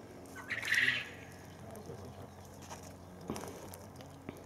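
A call duck gives one loud, harsh, high quack lasting about half a second, followed by quiet background with a few faint knocks.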